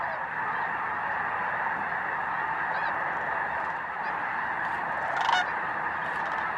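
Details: Continuous wall of snow goose voices at Bosque del Apache refuge during a December 2009 sunrise or sunset, an unbroken rushing murmur with one sharper nearby honk late on.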